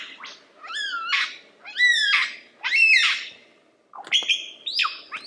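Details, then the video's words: Lyrebird song with swooping whistled phrases mixed with harsh noisy bursts, each about a second apart, then higher level whistles and rising slurs. "Lyrebird The Best Songbird Ever!"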